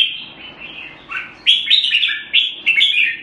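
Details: Red-whiskered bulbul warbling, a soft phrase followed by louder clipped chirpy notes in quick succession.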